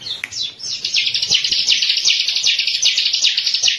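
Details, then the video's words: Bar-winged prinia in a master lure recording: after a few introductory chirps, a steady, rapid series of high, sharp notes repeated several times a second. "MASTER PANCINGAN BURUNG CIBLEK KESAYANGAN"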